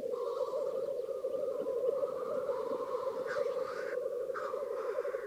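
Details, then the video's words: Black grouse at a lek with females present, Krasny Bor, Russia, during the peak of display: a continuous rolling, bubbling chorus, with two harsh hissing sneezes breaking through near the end. "Тетерев. Самки на току. Black Grouse lek."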